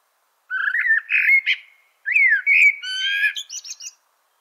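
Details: Blackbird (melro preto) singing two loud phrases of liquid whistles around the middle of its range, one with a sharp rising-falling slur, ending in quick high chips; a pause between phrases and quiet background.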